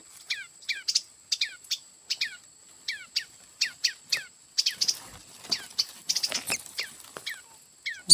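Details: Red-headed tailorbird nestlings, found by chance in bamboo being taken to roof a hut and later released. The nestlings give thin, high, down-slurred chirps repeated several times a second, followed by rustling and handling noises.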